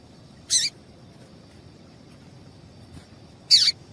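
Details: A female papa-capim seedeater calls to excite males kept for singing contests: two separate sharp chirps three seconds apart, each ending in a quick downward slur, over a low steady background hum.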